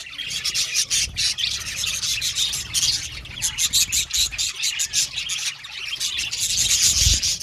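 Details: Chirping budgerigars in loud, dense chatter: many fast, buzzy high notes stacked into rhythmic pulses, barely pausing, overlapping calls from several birds throughout, low rumble in the background.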